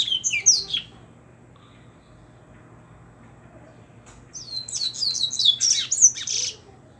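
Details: Double-collared seedeater coming back from moult sings two bursts of rapid, twittering high notes: a short phrase at the start, then a longer run after a pause of about three seconds. A faint low hum sits underneath.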